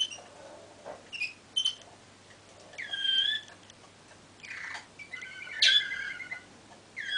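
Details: Malinois waterslager canary recorded in 2013, singing in brief scattered phrases: short whistled notes and slurred, bubbling trills at mid-high pitch, separated by quiet pauses, with a faint steady low hum underneath.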